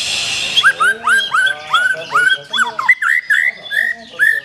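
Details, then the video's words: Black-tailed white-rumped shama delivering a fast series of rising whistled notes with a rich, ringing quality, about two to three per second, after a brief hiss at the start. "Murai Batu Ekor Hitam, Tonjolan Mantap"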